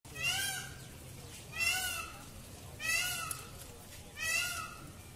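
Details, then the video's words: Peacock screaming during its display dance: four loud, harsh, arched wailing cries with rich harmonics, each one falling slightly in pitch, spaced about every 1.3 seconds, over a quiet background. "Peacock Dance Screams"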